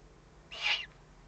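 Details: A single breathy, broadband hiss lasting under half a second, given by threatened owlets in warning, 22 May 2015 at 20:42.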